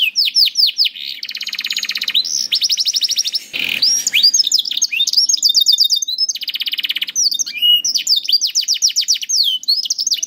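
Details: Canary song played to train young canaries to sing: long continuous stretches of rapid rolling trills mixed with sharp descending whistles, briefly interrupted by a noisy burst near the middle.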